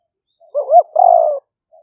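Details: Spotted dove singing in the liu fueang style for a trapping lure, recorded live in rainy-season rice paddies in Roi Et, Thailand. A warbling, bending note runs straight into a long, even coo, followed by a faint trailing murmur.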